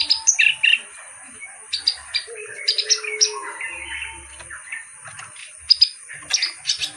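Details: Reed warbler known as kerak basi delivering spaced bursts of scratchy, chattering phrases and sharp squeaky notes between quiet gaps, with a low whistled note and a steady high hum.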